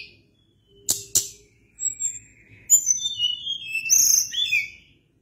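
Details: Sunda blue robin song starting with a faint whistle and two sharp clicks, then a long flowing phrase of high whistles gliding downward, rising into loud squeaky warbling.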